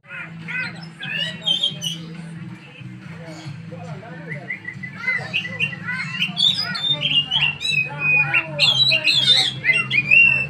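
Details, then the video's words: Oriental magpie-robin training together with another magpie-robin, delivering a lively medley of sharp whistles, squeaky notes and twittering phrases that grows louder toward the end, over a steady low hum. "Kacer, latihan dulu,,sama kacer temam,,"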